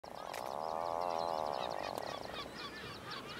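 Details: An adult Atlantic puffin calling from its burrow on Skomer Island gives a low, rattling, groaning growl that holds for about two seconds and then fades, with faint higher chatter from other birds behind.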